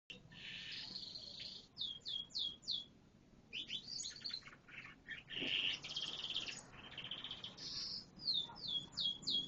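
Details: Canary song of rapid varied trills and rolling phrases, with fast upslurred note series and buzzy bursts, high-pitched and continuous, separated by short pauses.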